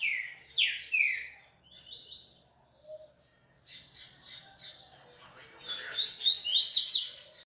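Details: Double-collared seedeater (coleiro) from a Brazilian breeding aviary, opening with loud downslurred whistles. Quieter warbled phrases follow, then a fast high climax of twittering notes.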